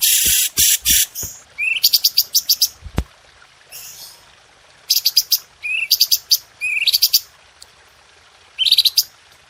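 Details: Red-whiskered bulbul, a master training recording for cage birds, with sharp, tight 'tembakan' bursts: rapid high buzzy trills and a rising upsweep note, repeated in clusters, with a few low thumps at the start.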